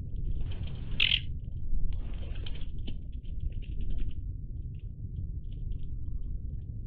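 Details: Iberian magpies, dated 03-10-20: one loud harsh squawk near the start, then softer scattered chattering notes that thin out toward the end, over a persistent low rumble.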